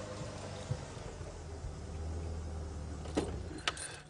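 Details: Low idling engine hum with a few sharp metallic clicks like jangling keys, and no animal calls.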